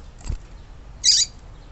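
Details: Female yellow-bellied seedeater calling, a sound used to excite and ready males: one sharp, high buzzy chip after a faint low tap, with quiet background hiss.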